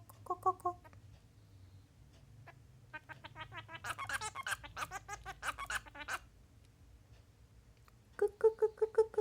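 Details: Male Bengalese finch practising its song, kept as a pet: a few clipped notes, a quiet pause, then a burst of rapid buzzy stacked notes, silence again, and a closing series of evenly repeated chirps.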